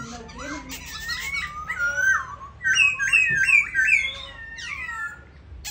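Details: Captive Black Laughingthrush singing well while displaying: rich, fluty whistles sliding up and down, then a quick run of four or five bright repeated notes, with faint room noise behind.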